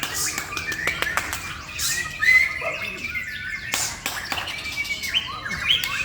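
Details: Varied song of a male white-rumped shama, Indonesia: quick whistles, rising and falling glides and bursts of harsh chatter, punctuated by abrupt clicking sounds, with a man speaking softly around it.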